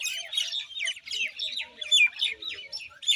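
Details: Common myna call series: short bright squeaks and rasping chirps given in quick clusters, roughly one per second, with a clear whistled note partway through.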